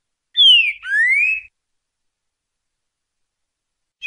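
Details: Rufous-bellied thrush with a soft voice giving the 'ti boi' training phrase: one clear falling whistle joined to a longer rising whistle, then silence.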